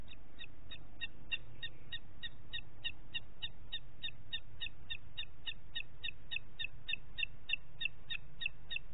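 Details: Rapid, chattering series of high, piercing notes from a booted eagle, around thirty in nine seconds, given without pause over a faint low hum; Parc Natural dels Ports, morning of 27 June 2021 at 09:06.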